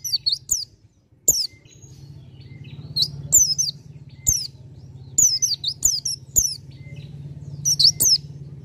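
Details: Bar-winged prinia song made of bright, high, descending chirps in paired or tripled bursts, repeated through the clip, with a continuous low motor-like hum and soft clicks.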